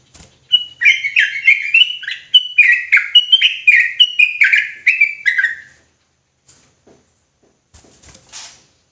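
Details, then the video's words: Sooty-headed bulbul singing in an agitated, insistent rapid 'ropelan' style: a fast run of slurred whistled notes, alternately rising and falling, for about five seconds, then near silence with faint clicks. "Trucukan gacor ROPELAN NGOTOT EMOSI !!!"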